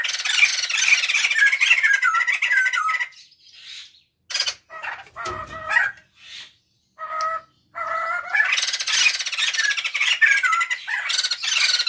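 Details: Male and female white-crested laughingthrush pair calling together at home, used as a lure: dense harsh chattering cackle for three seconds, then short whistled harmonic notes separated by pauses, then loud chattering again.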